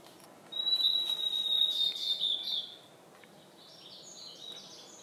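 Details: Blue-and-white flycatcher singing in the Khingan nature reserve, Amur region, Russian Far East: one long, clear, high whistled phrase held level and then gently falling. Faint softer high notes follow in a quiet forest background.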